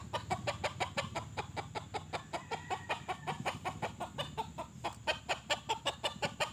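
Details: A young decoy red junglefowl, used to lure and trap domestic junglefowl rather than wild birds, gives a fast, steady run of sharp clucks, nearly three a second, while faint voices and laughter sit underneath.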